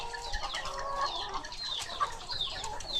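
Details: Many laying hens in their coop: busy overlapping clucks mixed with thin, high, downslurred squeaks, a constant layered chatter over low background noise.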